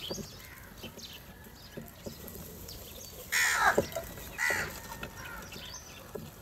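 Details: Morning crow fighting for food while eating cheese and butter; two loud harsh caws in the middle, about a second apart, over quieter background calls and scattered clicks.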